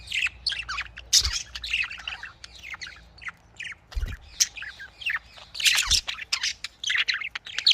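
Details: A busy aviary of budgerigars, the Australian parrot, kept for breeding: overlapping scratchy chirps, squawks and warbles run almost without pause, with occasional low bumps.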